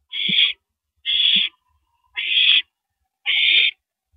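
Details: On April 9, 2012 at 1:27 AM, with a female owl eating a rabbit, four steady raspy screeches ring out about a second apart, each close to half a second long.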